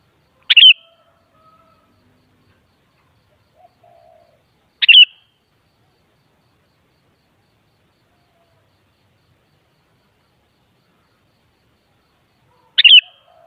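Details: Sparse, bright chirping bursts from a kutilang, the sooty-headed bulbul: one phrase, another four seconds later, then a long eight-second pause before a third, with faint low murmurs between. Played to make a kutilang respond.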